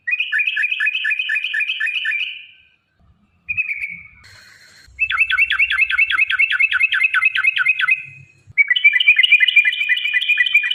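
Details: Long-phrased sooty-headed bulbul song meant to provoke caged birds into singing: fast trains of bubbling, chattering notes about two seconds long, separated by brief gaps, ending in a denser warbled burst.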